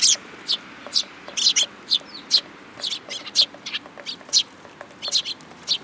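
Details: Several sparrows gathering to be fed at a Tenmangu shrine on 8 July 2022, giving dense overlapping high chirps and cheeps in quick, irregular succession.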